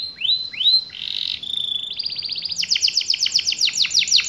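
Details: Canary song in a long rolling and shooting variation, recommended for young canaries learning to sing: upswept whistles, a sustained tone, then rapid rolling trills and fast repeated sharp upslurred notes building into a dense high series, with background hiss.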